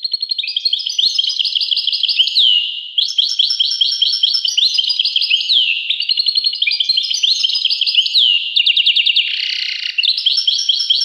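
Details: Sustained European goldfinch song, a high, busy stream of tinkling notes, buzzy trills and repeated down-slurred whistles with barely a break.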